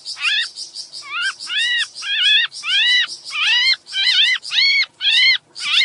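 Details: Sooty-headed bulbul in breeding condition, its voice used to lure small birds closer: a run of nasal, arched notes rich in overtones, roughly two per second with short gaps, over a steady high-pitched ticking chatter.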